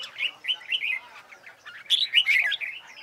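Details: Competition song (hót đấu) of a red-whiskered bulbul in training for contests: a run of rolling, slurred whistled notes, a brief lull, then a louder, sharper burst of chirpy phrases.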